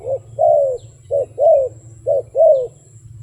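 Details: Three evenly spaced double coos from a wild dove, each a brief note leading into a longer arched coo, about one second apart, over steady low hum.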